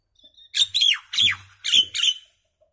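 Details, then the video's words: Indian maina delivering five loud, raspy notes, each a squawk bending into a falling whistle, spaced about half a second apart, followed by silence. "Common myna bird song, Indian maina sounds, mynah singing"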